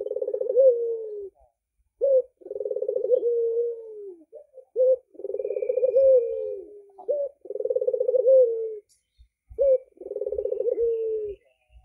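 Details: Albino red-eyed Barbary dove gives low, rolling, purring coos, each phrase a throaty trill ending in a drawn-out falling note, repeated every couple of seconds.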